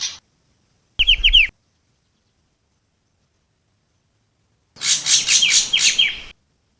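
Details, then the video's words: Long-tailed shrike song used as a lure call: short bursts of rapid, scratchy, high descending chirps, about four per second, separated by silent gaps. "CIU BESAR SUARA PIKAT"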